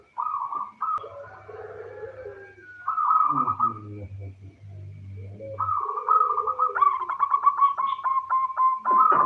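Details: Calling female local zebra dove, used to draw males into singing; purring coos, a lower descending murmur in the middle, then renewed coos breaking into rapid clipped notes.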